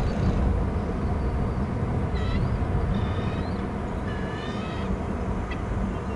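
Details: Eagle at a nest on Hornby Island: the female, perched on the prow, screeches as the male arrives with a fish. She then moves off to the waterside while he feeds the eaglets. Several thin, high, harmonic squealing notes rise over a steady low wind-like rumble.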